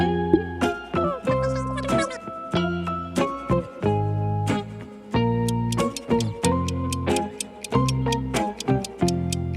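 Rhythmic instrumental music with bright plucked tonal notes and ticking percussion, repeated in short phrases; no animal voice is heard.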